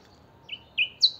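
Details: Pet chiviro, the saffron finch, in full song: three clipped, high whistled notes, two level and one sharply higher, rising in loudness in a quiet room.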